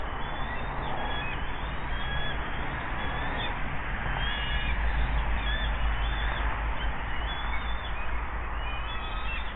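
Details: Bald eagles at a nest by the Monongahela River at a steel plant in West Mifflin, Pennsylvania, 8 June 2024 around 09:42, as an adult brings in a fish and shares it; thin high chirps repeat throughout over a steady industrial rumble, captured by a nest camera.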